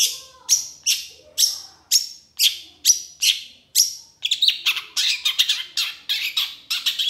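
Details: Excited Long-tailed shrike (cendet) song: a steady run of harsh, rasping notes about twice per second, then a faster, denser burst of scratchy chattering with overlapping notes.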